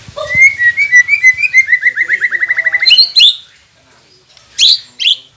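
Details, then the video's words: White-rumped shama song used as a masteran to coax quiet captive shamas into singing: a fast run of about twenty short, evenly repeated chipping notes that speeds up, then sharp high whistled bursts after a pause. "Murai Pendiam Cepet Buka Suara dengan masteran ini | shama bird"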